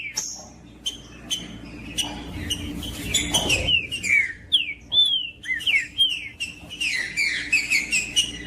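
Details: Trinca-ferro, the green-winged saltator, in macheando song meant to rouse other birds: sparse dry clicks at first, then a run of loud, rich whistled notes that swoop down and up, closely spaced in the second half.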